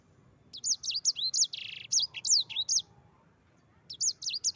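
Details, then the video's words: Yellow-fronted canary song used as a master recording to train other birds: rapid bursts of high, sweeping whistled notes and trills, with a brief buzzy note, phrases separated by short pauses. "Suara Burung Sanger EDEL SANGER NGEROL Ampuh untuk pancingan sanger cepat ngerol gacor."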